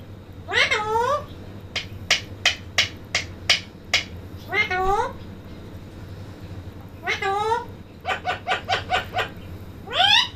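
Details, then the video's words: Parrot talking in a small room, giving bent, voiced, meow-like glides spaced a few seconds apart. Short sharp clicks and bursts of rapid clipped syllables fall between them. "talking parrot sound 🐦🦜 बोलने वाला तोता।"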